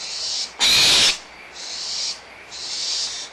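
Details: Barn owlets squabble over leftover food at Audubon Starr Ranch Sanctuary in April 2011, mother close by. One loud, rough, raspy screech stands out against softer, sustained hissing screeches that rise and fall.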